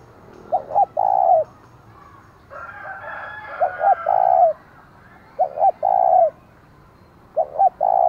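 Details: Loud provoking call of a decoy spotted dove, used to lure wild rivals: four repeated phrases, each a pair of short coos and then a long coo, roughly every two seconds. A harsher, richer background call runs midway.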